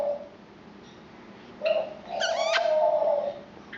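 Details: A pet female monk (Quaker) parakeet, almost 3 years old, talks in short, nasal, speech-like phrases with a rising then level tone, among words like "bye-bye" and "peekaboo".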